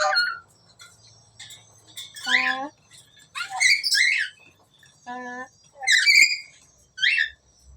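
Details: Talking black-capped lory producing speech-like mimicry: several short voiced, word-like phrases with rich humming harmonics alternate with sharp, squeaky rising syllables and chirps, in about six bursts separated by brief pauses.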